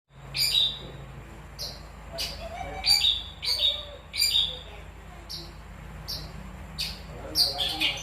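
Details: Long-tailed shrike singing in a contest-style song: bright, high, chattering notes in short bursts roughly every half to one second, with a low hum beneath.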